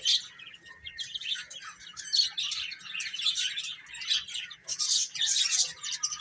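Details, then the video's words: Baby chickens feeding and playing, a busy stream of high, thin chirps rising and falling in loudness, growing denser in the last seconds. "Baby Chicken Chirping Sounds"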